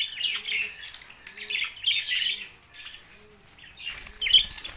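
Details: Chirping budgerigars trade bursts of high, warbled twitter with brief pauses between phrases and a sharp squeak near the end. A soft, regular cooing repeats quietly beneath them.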